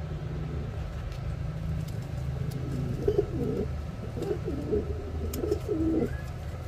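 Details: A yellow Reversewing Pouter pair in the Philippines: after a quiet start, a sequence of short, low coos begins about halfway through, over a constant low hum and faint ticks.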